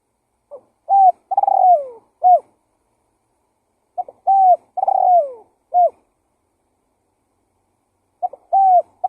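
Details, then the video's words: Spotted dove lure call: low mellow cooing phrases repeated about every four seconds, each opening with soft stuttered notes, then a drawn-out coo, a trilled coo sliding downward and a short final coo, in a quiet background. "Suara Pikat Burung Tekukur Gacor KUK 1"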